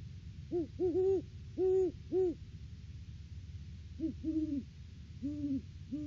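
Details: Great horned owls, a male and female pair, duet at the nest tree in the off-season, December 3, 2022; overlapping low hoots in quick pairs and longer held notes, a higher and a lower voice trading phrases.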